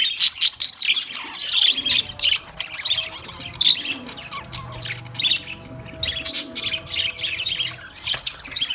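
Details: Australian parrot chirping: dense bursts of sharp, high chirps and short squawky notes come in quick clusters throughout, with faint low rumble underneath.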